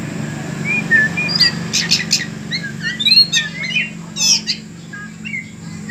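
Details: Oriental magpie-robin kept in a cage during taming, singing varied short whistles and scratchy rapid notes, some high and clipped, others lower and slurred, in a busy irregular sequence above a constant low hum.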